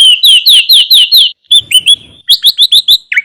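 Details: Sooty-headed bulbul master recording with a richly filled song, meant to lure wild bulbuls and get quiet ones singing: a series of six loud down-slurred chirps, a short pause, softer twitters, then a quick burst of bright chirps.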